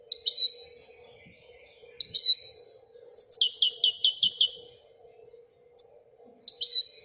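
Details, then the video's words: European goldfinch singing: short bright twittering bursts near the top of the range, then a longer rapid run of buzzy repeated notes, with a faint steady low hum underneath. "Le twitter et chardonneret royalتغريد طائر الحسون الملكي"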